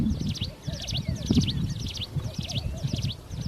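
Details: Wild plain prinia singing energetically in open nature: buzzy, quickly repeated phrases, about two per second, over a low rumbling background, with a few soft whistled notes in between.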